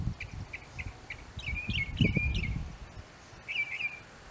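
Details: Northern mockingbird singing in an apple tree: a run of short chirps, then warbled, slurred phrases and a final wavering note, over low rumbling background noise.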